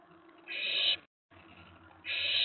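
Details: Excited owlet in a nest box late at night on May 19 2017, reacting to another owl arriving on the tray: two rasping, hissy screeches, each about half a second, separated by a brief silent gap.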